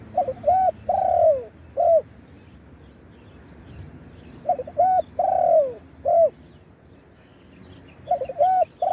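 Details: Live recording of a spotted dove used as a decoy to call wild doves, giving 'khan yon' style crowing coos: three phrases of short hoots, a long slurred coo and a clipped final note, repeated every three to four seconds.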